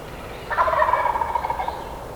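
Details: A wild turkey on Georgia public land during spring hunting season, with several birds in range, gobbles once, a fast rattling burst of gurgling notes over a second, fading over quiet background.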